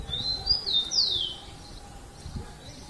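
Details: Rufous-collared sparrow, a young bird being trained, singing the song style called Jesus Meu Deus: a few high whistled notes, a long clear note then a sweeping slurred descending whistle, with faint low background noise.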